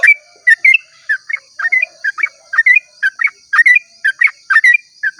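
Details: Yellow-vented bulbul in long dawn song ('ropel panjang'): rapid, jumbled bursts of fluty, chattering notes tumbling one after another. A constant high-pitched hum is audible underneath.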